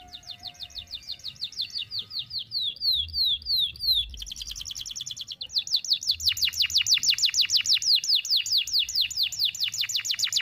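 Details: Canary song used as a tutor recording for young canaries, with sharp shots and long phrases in one breath: rapid series of high down-slurred whistled notes, a pause near four seconds, then a faster, denser trill of repeated sweeps.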